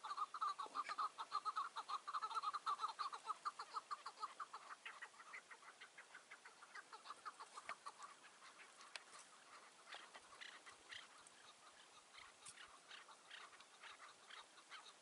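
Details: Chukar partridge calling at a roadside trap on the morning of 15 March 2020: a rapid run of clucking chuck notes, roughly a hundred a minute, strongest at first and then fading, with scattered clicks and rustles.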